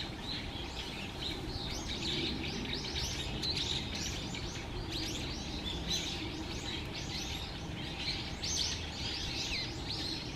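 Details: Begging little grebe chicks being fed at Musashiseki Park, Japan, in late November 2023. Rapid, continuous high peeping from several birds, overlapping chirps without pause, set against loud low rumbling background noise.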